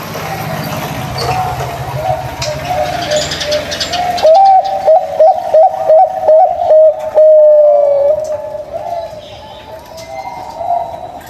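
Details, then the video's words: Local zebra dove cooing, used as a lure for doves that will not sing: a run of about six short, evenly spaced mid-pitched notes followed by a longer drawn-out note, with traffic-like rumble and noise before it. "Suara Burung Perkutut Lokal Ajaib, Ampuh untuk Pancingan Perkutut Tidak Mau Bunyi"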